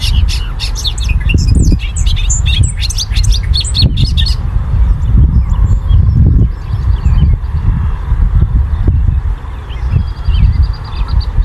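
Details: Male Bobolink singing near a field on 9 May 2023: a rapid, bubbly jumble of high metallic tinkling notes for about four seconds, then only scattered faint notes over heavy low wind rumble.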